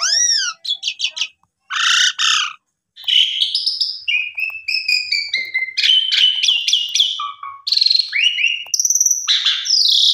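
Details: Pied myna lure song to set other mynas singing: several arching whistled notes, a harsh burst, then a long varied run of squeaks, buzzes and whistles, densely packed and chattering.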